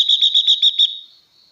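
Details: Female blue-winged leafbird singing to excite males: a quick run of six buzzy, evenly spaced high notes lasting under a second, then a thin fading tone.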